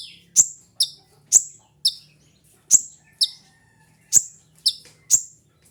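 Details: Loud, crisp high chips from a kolibri ninja sunbird, a lure and mastering sound, delivered in uneven pairs and singles about every half second against near silence.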